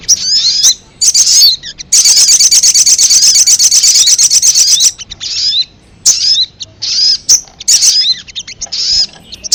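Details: Ruby-cheeked sunbird lure sound used to pull in wild birds: high chirps at first, then a rapid buzzy trill of about three seconds, followed by short bursts of thin twittering notes.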